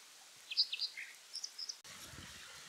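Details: Wild brown dipper in Japan in late November, singing persistently to claim its territory; a brief burst of high, sharp chirped notes in quick clusters over about a second, followed by a cut to low rumbling background noise.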